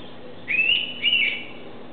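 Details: An Indian Pitta sitting on a tree at Karnala bird sanctuary near Mumbai gives a loud, clear two-note whistle, each note drawn-out rising-then-level, the pair within a second over a quiet background.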